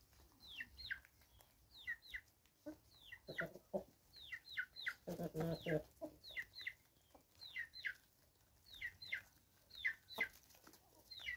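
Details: Free-range chickens in South Africa, 2024: high, thin descending peeps, often in quick pairs, repeated steadily throughout, with a brief lower rustling burst near the middle.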